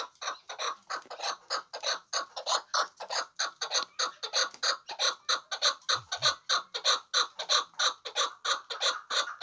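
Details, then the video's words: Hybrid chukar partridge calling: a steady run of harsh, clucking chuk notes delivered about 95 times a minute in an even rhythm, with no other clear sounds. "Кабки Гибрид"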